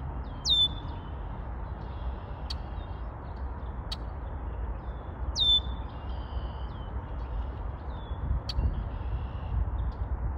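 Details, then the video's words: Red-winged blackbird giving its song, a shrill downswept note trailing into a sustained high tone, repeated about every five seconds, interspersed with brief sharp clicks and softer high notes over constant low-pitched background noise. "Red-winged Blackbird singing"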